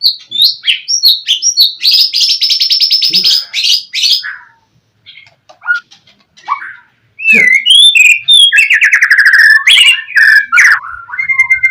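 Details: White-rumped shama in energetic gacor song to stir a rival into replying: rapid trilled and buzzy rattles, a brief lull of scattered notes, then loud varied whistles and harsh chattering trills.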